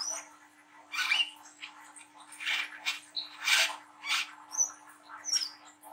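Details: Young spotted Brown-throated sunbird, a lure recording for training young birds to sing: short harsh scratchy bursts roughly every half second, interspersed with thin high whistles.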